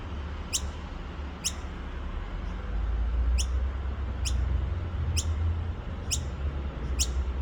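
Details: Juvenile noisy miner at Petrie Creek in Nambour: a run of seven piercing downslurred squeaks, unevenly spaced roughly a second apart, with constant low traffic hum behind.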